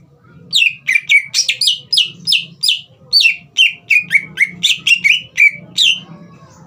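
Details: Green leafbird singing steadily, its song played to stir a young bird into song: a fast, energetic series of sharp, falling whistled chirps about five per second, some harsh and buzzy, with a faint low hum beneath.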